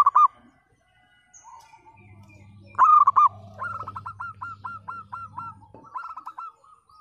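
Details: Local zebra dove in full song with the 'pecah' split voice, meant to coax mute or lazy doves into singing: quick rolling coos, then a long even string of about nine clipped notes and a final short run, over a low droning hum.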